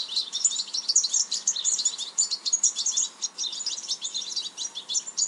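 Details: European goldfinch twittering continuously: rapid, high-pitched chirps, little rattles and metallic tinkles strung together without a break, evenly loud across the stretch, light background hiss.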